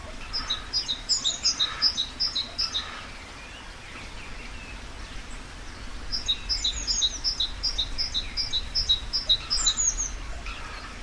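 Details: Eurasian blue tit in Maine-et-Loire, France, gives two bursts of very high, thin notes running into a fast shimmering trill, each about three seconds long, over soft background hiss.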